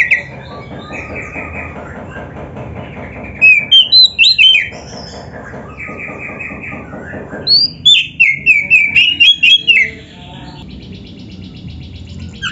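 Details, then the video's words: Oriental magpie-robin, a kept songbird, delivering dense filler-rich song in two bursts of quick whistled, sliding notes separated by quieter stretches of faint background chatter. "Kacer gacor full isian RAPET"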